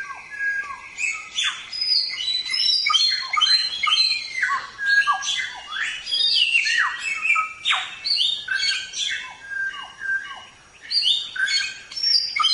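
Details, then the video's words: Samyong used as a training recording for songbirds: a dense, varied jumble of sharp chirps, squeaky downslurs and buzzy notes delivered nonstop in quick succession. "Suara Burung Samyong | Gacor"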